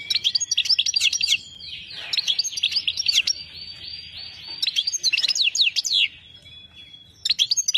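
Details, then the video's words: Singing goldfinch (saira): rapid bursts of sharp, high, tinkling chirps alternate with a sustained, slightly buzzy whistled phrase, the chirp bursts returning about every two to three seconds. "goldfinch singing"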